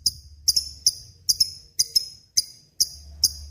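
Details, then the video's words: Lovebird in full voice, recorded as a tutor for murai and kacer songbirds: sharp, clicky high chirps, some doubled, repeated roughly every half second over a faint low hum. "SUARA BURUNG LOVEBRID GACOR NGEKEK PANJANG"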